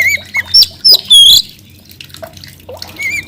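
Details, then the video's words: Oriental magpie-robin singing vigorously: a few loud, sharp whistled and slurred notes packed into the first second and a half, then near quiet with faint high twitters and one more rising whistle at the end. "coba mp3 kacer gacor ini"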